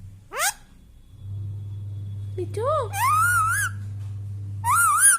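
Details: Talking pet Indian Ringneck parrot: sharp rising voiced sweeps and warbling, speech-like harmonic phrases in three bursts, with a constant low hum underneath.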